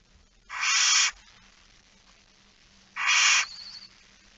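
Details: Barn owls in a nest box at night, 13 September 2019, with small young. Two loud, rough hissing screeches come about two and a half seconds apart, the second trailing into a brief, thin, wavering squeal.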